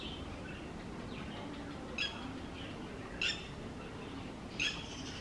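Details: A parent Red-wattled Lapwing defending its chick against a trespassing adult peafowl gives three sharp, shrill, ringing notes, about 1.5 seconds apart, over a steady low hiss; Coimbatore, Tamil Nadu, India, 29 April 2019.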